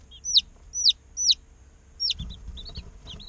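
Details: Day-old chicks in an incubator give loud, sharp, downward-sweeping peeps about every half second, followed by softer, shorter chirps.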